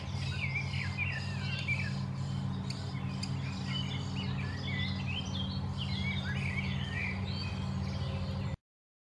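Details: Common starlings at a garden nest, the parents bringing food to the young every few minutes, give a dense run of scratchy, wheezy chirps and squeaks, several each second, over a loud, steady low hum.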